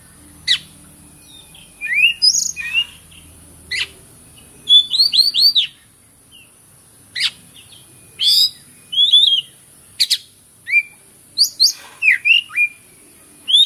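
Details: White-rumped shama singing a lively string of phrases: upward-sweeping whistles, a fast run of repeated curved notes, sharp ticks and harsh chips spaced through the recording, loud and near over a steady hiss.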